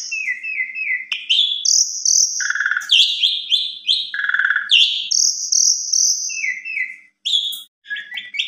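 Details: Evening lure song of an Asian pied starling, used as a tutor for young birds: sustained high whistled notes, a run of descending chirps, and grating buzzy bursts, delivered rapidly with short gaps and nothing else audible.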